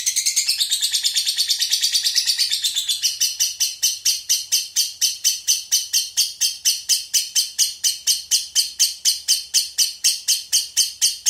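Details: Lovebird in konslet song style filled with walang (grasshopper) phrases: a shrill, continuous high trill that shifts into steady, evenly spaced rasping pulses about twice per second, carrying on without a break.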